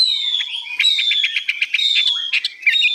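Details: A newly arrived Chinese hwamei, said to be 85% pure-bred, sings a loud, rich run of high, rapidly varied whistles and trills, notes tumbling over one another in long, unbroken phrases.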